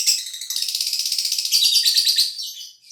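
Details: Contest-bred caged lovebird from Gresik, East Java, Indonesia, trilling as the cage cover opens; a continuous high rattling trill of rapid pulses, rising into a squeaky whistled section before fading.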